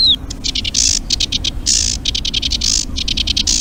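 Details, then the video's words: Recorded song of the Eurasian reed warbler, a passage migrant arriving in mid to late March at the Urdaibai marshes, Spain. It is a dense, steady chatter of scratchy repeated notes in quick rhythmic bursts. "Preciosos los cantos que tiene el carricerín común."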